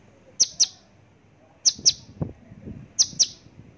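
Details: Javan bush lark giving pairs of sharp, very high chirps, each pair quickly doubled and repeated three times about every 1.3 seconds, over faint low rumbling and a few soft thumps in the background.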